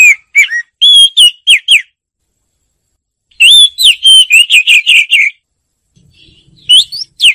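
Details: An Oriental magpie-robin sings loud, clear phrases of varied whistled notes, some sliding up and some swooping down. Two phrases are separated by a silent gap, and a shorter fragment follows near the end.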